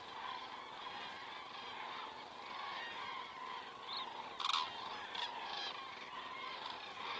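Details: Common cranes flying over an Estonian crane camera at 19:10 on 19 September 2017; a dense chorus of trumpeting calls from a flock, with one louder, harsh call standing out near the middle and a few sharper notes after.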